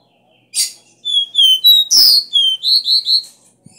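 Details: A caboclinho, or copper seedeater, sings a strong 'Dó Ré Mi' three-note song used to stimulate caged birds. A sharp opening note leads into pure high whistles, a rasping burst, then quick rising slurred notes.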